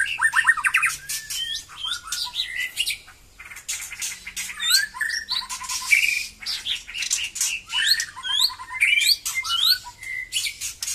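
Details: White-rumped shama song after moulting: bright whistled notes, rapid chattering trills and short upward slurs repeated in bursts, broken by frequent sharp clicking sounds.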